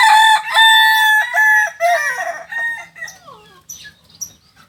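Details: Kokok Balenggek rooster, a singing chicken native to Solok, with a landiak-class crow. A long, ringing crow of several chained syllables lasts over two seconds, then trails off into falling notes. Faint chirps follow.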